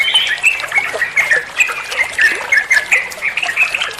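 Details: Trucuk bulbul ropel song for training other songbirds: clear, liquid, repeated bubbling notes in quick bursts, rising and falling, almost without pause.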